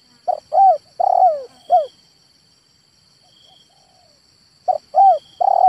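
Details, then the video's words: Male spotted dove: a five-note coo phrase with a long burry centre note and falling end, then after a pause a new phrase begins. "SUARA TEKUKUR JANTAN"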